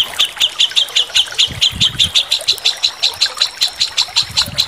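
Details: Tutor song of a white-rumped shama for training competition birds, with kasaran phrases: sharp, evenly spaced chipping notes about three per second, repeated in a long steady series over a soft low rumble.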